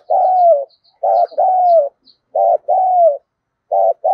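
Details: Decoy spotted dove, a lure bird used to provoke wild doves into cooing, in the giọng thổ voice style: low two-part coos, a short pulsed note then a longer sliding coo, repeated several times in about four seconds in quiet surroundings.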